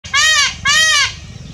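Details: Peacock calling while dancing: two loud, harmonic, wailing notes, each about a third of a second long and slightly arched in pitch, given in quick succession.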